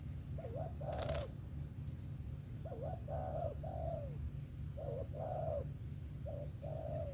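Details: Mellow repeated coos from a spotted dove in the sấm thổ style with a 'về tàng kèm 123' pattern, three phrase groups each ending in a drawn, falling note; one sharp click and steady low hum.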